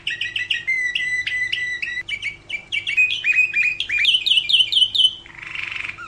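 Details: Canary singing a master song for other birds to learn: clipped chirps and steady whistled tones, then trills climbing in pitch, closing with a harsh, noisy burst.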